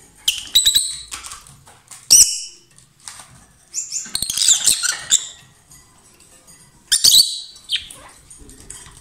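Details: A pair of lovebirds singing loudly: bursts of shrill, high chirps and harsh chatter, separated by short quiet gaps, with faint soft clicks between calls.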